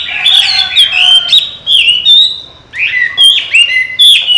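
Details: Trained pet Chinese hwamei singing bright whistled phrases, sweeping and slurred, in two bursts separated by a short gap, notes clustered high and repeated rapidly.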